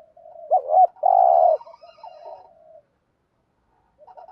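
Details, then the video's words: Spotted dove in a cage, kept as a lure for wild doves, gives one coo phrase of two short curved notes and a long even note, then trailing soft murmurs and quiet. "tieng chim cu gáy thúc gù, chim cu gáy bài bản giúp bổi nhanh nổi"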